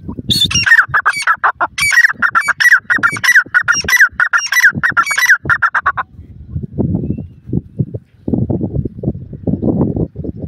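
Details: Female grey francolin giving a rapid run of harsh, ringing notes repeated for about six seconds, then stopping, leaving low rumbling background noise.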